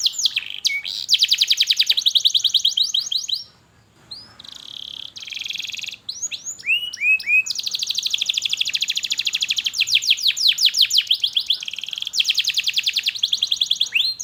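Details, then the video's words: Canary lure song, a therapy for canaries that have stopped singing: extended dense buzzy trills broken by a short pause, rising swoops and rapid repeated chirps, loud and continuous. "KENARI GACOR PANJANG Cuit Cuit EMOSI, Pancingan Kenari Paud Belajar Bunyi"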